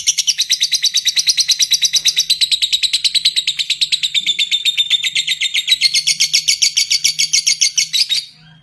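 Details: Lovebird giving a long ngekek: one unbroken, high, rapidly pulsed chattering trill lasting about eight seconds, its notes repeated many times per second, before stopping abruptly.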